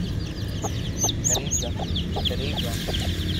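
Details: Lively Aseel chicks in a village give quick, busy high chirps, several sharp upward-sweeping peeps standing out, with occasional soft clucks and low background noise.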